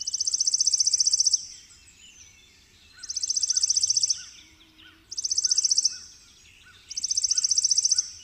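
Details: Chipping sparrow (Spizella passerina) song: four dry, rapid, high trills, each about a second long, roughly every two seconds; faint softer chirps from other birds behind.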